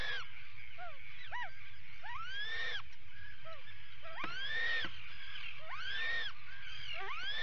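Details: Atlantic puffins at a burrow during an attack, filmed by a live burrow camera on 19 July 2019; rising, rough calls that swoop upward and end in a hoarse noisy burst, repeated irregularly, with a few shorter upslurred notes between.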